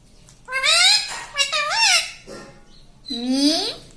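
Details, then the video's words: A pet ringneck parrot talks in a high, nasal voice, saying "mami" and similar speech-like syllables that slide up and down, ending in a longer rising phrase. "Tota Tota mitthu mitthu - Bolne wala tota - tota talk - mummy bolne wala mitthu - talking parrot"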